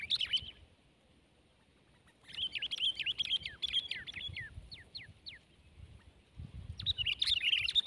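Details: Sooty-headed bulbul (kutilang) fighting a rival: quick phrases of sharp chirps, then a run of downward-slurred whistled notes, and a final burst of busy twittering. Quiet stretches in between carry low rumbling noise.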